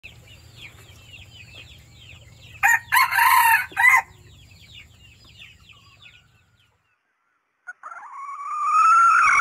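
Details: A wild Red junglefowl hen gives a lure call that attracts males: three loud, harsh, broken bursts, then a drawn-out rising note after a pause, over a steady chatter of small birds.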